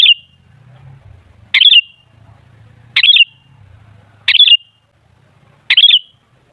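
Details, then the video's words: A Sooty-headed bulbul sings to draw other bulbuls into loud song: short warbled phrases about every one and a half seconds, each a quick rising-falling flourish, over a low rumbling hum. "Suara Burung Kutilang Ampuh Buat Pancingan Jadikan Kutilang Ribut Gacor"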